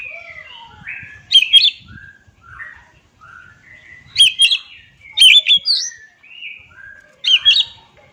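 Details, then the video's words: Oriental magpie-robin song of rich, varied whistles and warbles, punctuated four times by loud, sharp repeated note clusters at intervals of about one to three seconds, with softer melodic phrases between them. "Dengar Suara Asli Kacer Ini"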